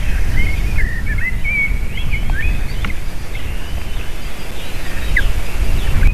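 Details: At an eagle nest in June 2023, the female lands and she and the eaglets cry before feeding; thin, high, rippling squeals open the passage, then fainter chips amid heavy low rumble.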